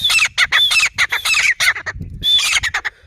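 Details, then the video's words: Grey francolin giving its call: loud, shrill, scratchy notes rattled off in quick succession, with one short pause midway before the series resumes. "teeter boli Grey francolin sound"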